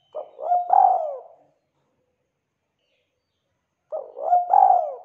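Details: Spotted dove calling as a lure for other doves, two low cooing phrases about four seconds apart, each a short lead note gliding into a long, slightly falling drawn coo, over otherwise silent background.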